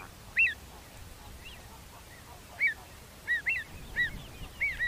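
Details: Pied avocet in a field recording, giving a single fluty piping note, then after a pause a burst of repeated clear arched whistles, some in quick pairs, over light background hiss.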